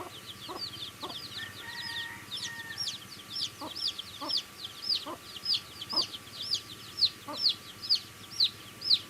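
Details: Baby chicks chirping while eating food: repeated high, short downward peeps, about two per second, growing louder toward the end, with faint low tapping sounds of pecking.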